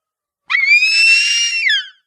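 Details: Harpy eagle uttering one sustained, harsh, high-pitched wailing scream lasting well over a second, steady in pitch with a rough, buzzy tone and a falling tail.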